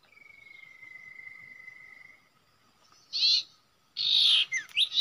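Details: Common iora at a spot where it usually nests, where birds are trapped: one long, clear whistle held steady and falling slightly for about two seconds. Loud bursts of harsh chattering follow after a short pause. A faint steady tone runs behind.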